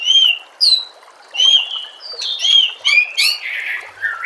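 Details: White-rumped shama song used as a master recording for training captive shamas: loud, clear whistled phrases with high ringing notes, each phrase about half a second, followed by a burst of scratchy, buzzy notes near the end.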